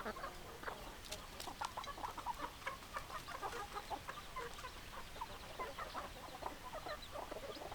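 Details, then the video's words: A crowd of hens clucking continuously, dense overlapping short clucks and squawks pulsing every fraction of a second, with steady background noise. "Chicken Sounds Noises Hens Clucking Roosters Crowing"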